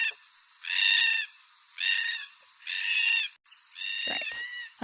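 Red-tailed Black-Cockatoo giving four harsh, rolling, grating screeches, about one a second, over a steady background hiss.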